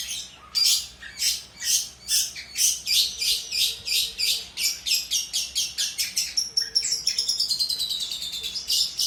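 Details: Long-tailed shrike singing hard, used to train other birds: a long run of sharp, evenly repeated chirps that speeds up, then ends in a rapid chattering trill.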